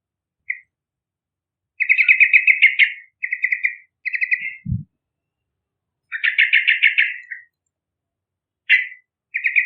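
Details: A Yellow-vented bulbul sings vigorously as a lure for young birds. Bursts of rapid, bubbly, slightly buzzy notes alternate with single sharp chirps, and one low knock is heard midway.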